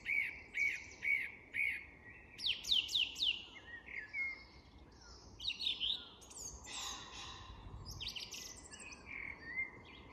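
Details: Song thrush at dusk in English woodland delivering a varied song: a short note repeated four times, then a run of downslurred whistles, then scratchier and more complex phrases, with softer dusk-chorus birds behind.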